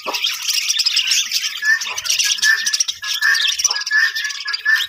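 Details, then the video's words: Budgie breeding colony, overlapping chirps and warbles with a short clear whistled note recurring about every second over the chatter. "budgies parrot colony setup"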